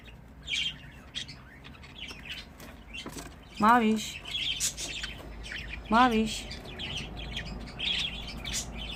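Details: Pet budgerigars kept together, chattering in short, scattered high chirps and twitters at a low level. A person speaks briefly twice in the background.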